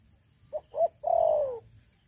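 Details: Caged decoy spotted dove, an old lure bird for trapping wild doves, giving one phrase: two quick short coos and then a long mellow note gliding downward, in quiet surroundings.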